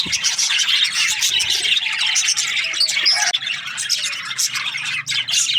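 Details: Budgerigar breeding pairs in an aviary, many birds chirping at once: a dense, continuous chatter of short high chirps and warbles with scattered squawks, no pauses.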